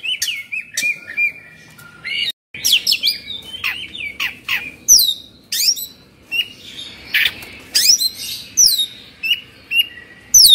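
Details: Excited kept Oriental magpie-robin in Indonesia, fluffed up with its tail spread. Whistles, harsh squawky notes and steep sweeping calls are repeated in quick bursts, with a brief pause near the start.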